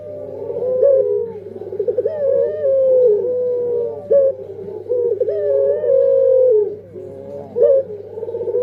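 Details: Puter pelung dove singing a continuous run of trilled, rolling notes and sustained steady coos that fall slightly at their ends, with a constant low hum underneath.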